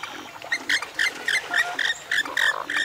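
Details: Western swamphen (Porphyrio porphyrio) giving a quick series of short, nasal, harmonic squawks, about seven notes in under three seconds, some with a slight upward twist, over faint background hiss.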